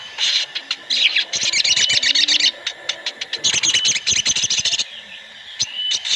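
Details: Sooty-headed bulbuls in a chorus of many birds, played to make other birds sing fast. Nearly continuous busy chattering, with crackling bursts, breaks briefly near five seconds and then resumes. A faint constant whine sits behind it.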